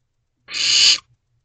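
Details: A single half-second, coarse hissing screech from a barn owl owlet calling its parents for food, Owl Box C, 2:55 am on 15 May 2023, otherwise quiet.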